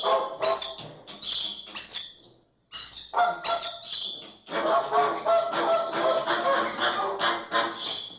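American flamingos honk in goose-like, nasal bursts: a few separate calls, then a dense, overlapping flock chorus of harsh grunts and honks.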